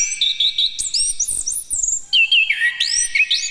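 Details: Orange-headed thrush (Geokichla citrina) song, used as a lure to prompt young birds to sing: a rich, fast run of high whistled phrases, slurred and mimic-like, rising and falling without pause.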